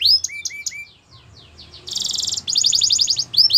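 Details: Belgian canary song: sharp upslurred whistles repeated, softer descending notes, then a loud bright rattling trill broken into pulsed phrases.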